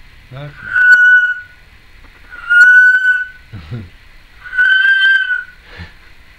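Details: Female Timneh African grey parrot, kept as a pet indoors, recorded in 2012 making various noises: three long level whistles held about a second each, spaced roughly two seconds apart, with short raspy squawks between them.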